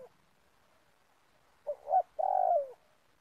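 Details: Low mellow coo of a spotted dove at a trapping site in a palm oil plantation, two clipped lead-in notes then one sustained, slightly falling coo, otherwise silent.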